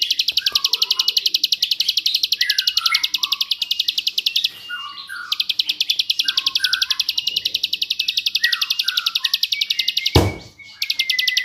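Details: A rapid burst style of bar-winged prinia song, meant for tutoring songbirds such as magpie robins: a dense, continuous rattle of high repeated notes, with lower slurred whistles mixed in and a brief knock near the end.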